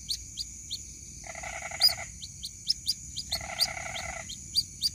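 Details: White-breasted waterhen chick calling for its mother: faint, high, clipped peeps at uneven intervals. Two spells of a lower, rattling, pulsed buzz are heard, with a steady high whine and a soft background hiss.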